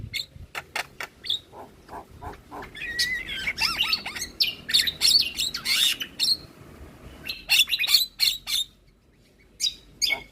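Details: Javan myna lure song intended to set other starlings calling back; rapid dry clicks lead into a chattering stretch of buzzy trills and high whistles, then scattered clicks after a short pause.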